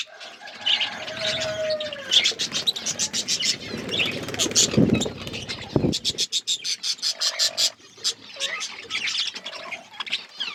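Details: Flock of budgerigars feeding on seeds in an outdoor aviary in a forest setting; dense clicking and chirping chatter, sharp ticking bursts, with steady mid-pitched whistled tones and a loud rustle midway.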